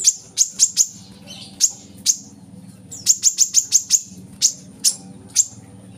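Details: Kolibri kelapa, the brown-throated sunbird, on a training recording for captive birds: sharp, isolated high chips spaced irregularly, some in quick clusters, over a faint low hum.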